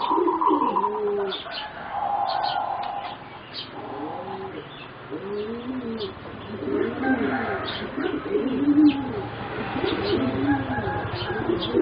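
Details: Four young competition-bred singing zebra doves, about 3.5 to 4 months old, deliver low rolling arched coos in bursts across the clip, overlapping one another, with scattered high chirps and a faint constant tone.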